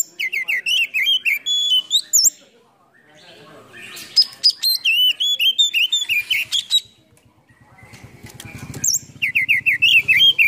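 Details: Kacer (Oriental magpie-robin) lure song with full fill-ins, meant to make lazy birds sing. Loud rapid whistled and chattering phrases come in repeated bursts, broken by quieter gaps with a low rumbling background.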